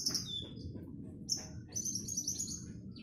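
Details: Javan bush lark kept in a cage and put out to sunbathe, giving very high thin whistles and a drawn-out shimmering trill, with a low murmur of background noise throughout.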